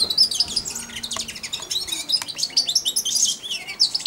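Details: Caged young European goldfinch, four months old, practising subsong on and near the hand that feeds it daily; continuous bright, high twittering and chattering notes with liquid trills, loud and close.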